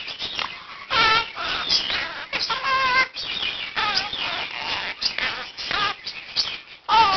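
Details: Morning wake-up chatter from a one-year-old male Quaker parakeet indoors, rehearsing learned words and phrases with other caged birds chiming in; bursts of warbling, rising and falling harmonic notes separated by brief gaps.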